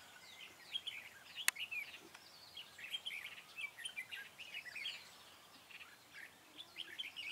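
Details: Red-whiskered bulbul trapping with a decoy bird, 4 February 2017: quick run of bright chirps and short warbled phrases, several overlapping, with one sharp click near the start and a soft hiss beneath.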